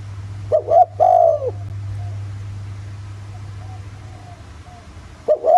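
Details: Spotted dove lure coo in the 'giọng thổ' style: one two-part hooting phrase near the start, a long quiet gap with a steady low hum, and the next phrase beginning at the end.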